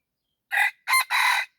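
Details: Red junglefowl cock crowing during decoy luring of wild junglefowl: three loud, harsh broadband bursts, the last drawn out, with a fourth cut off at the end; quiet background.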